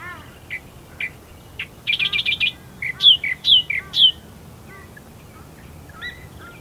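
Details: Australian Reed-Warbler calling amongst reeds at first light at Herdsman Lake, Perth, Western Australia: a rapid run of repeated high chirps, then loud rising and falling whistled notes about four per second, fainter notes from other birds behind.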